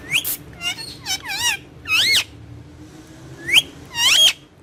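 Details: Green ringneck parrot on a wall, said to talk in Urdu and Hindi, gives harsh wavering squawks and warbled notes in short bursts with quiet gaps, over a low background hum.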